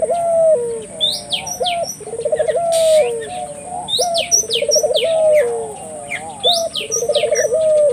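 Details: Puter dove calling energetically, used to prompt local doves to join in: repeated phrases of a short rising note, a bubbling rolled trill and a long falling coo, about three phrases, over busy chirping birds and a constant high whine.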